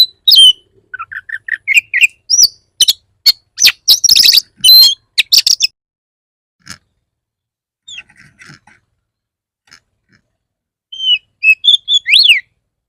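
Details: Oriental magpie-robin song used as a lure to prompt other magpie-robins to sing: a rapid run of varied whistles, sharp clicks and chattering notes, a quiet pause with faint notes, then a burst of rising and falling whistles.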